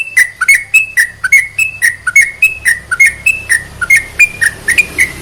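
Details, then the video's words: Song of a sooty-headed bulbul, played to excite other bulbuls into singing: a lively, continuous run of short whistled notes, alternately rising and dipping, with a brisk bouncing rhythm over a faint low background rumble. "CEPAT MERANGSANG TRUCUK MALES BUNYI || Menaikan Emosi"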